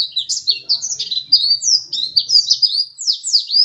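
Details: Pleci dakun white-eye, a second-place champion, singing nonstop: a rapid, high-pitched stream of sliding, swooping chirps and twitters with a faint low hum underneath.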